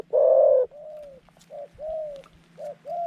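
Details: Trap decoy dove with a middle-pitched voice opens with one loud drawn coo, then a string of softer, smooth, arched coos of varying length, over a low steady hum.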